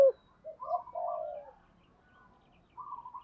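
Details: Spotted dove cooing to lure wild doves: a soft, low run of mellow coo notes, the middle one drawn out, then a pause before a further short coo, in a quiet setting.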